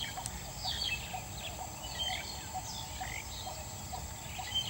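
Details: On a Sunday evening, 31 August 2014, a coppersmith barbet calls atop a lead tree, giving soft, evenly spaced low tuk notes roughly every half second, while other birds chirp higher and a steady background hiss runs throughout.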